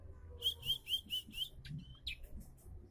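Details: Bar-winged prinia, said to be starting to sing diligently, gives a fast run of five sharp, high chirped notes about a quarter second apart, then a few looser notes and a short buzzy note, over low background rumble.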